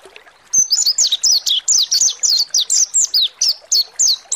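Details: Mountain white-eye (pleci monty) song played as a lure to get a bird singing; after a short silence, a steady fast stream of high, sharply falling whistled notes, about four per second, continuing to the end.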